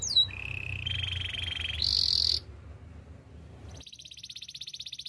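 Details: Training song from a canary: a single falling whistle, then a lower sustained buzzing trill, a loud high rattle, a pause, and a thin, very high, fast trill.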